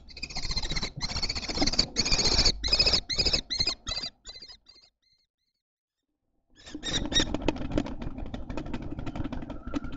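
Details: Common Kestrel chicks in a nest box at Théding, June–July 2024, where a fallen chick was adopted, give harsh, rasping screeches in quick bursts with a brief pause midway, over scratching and rustling.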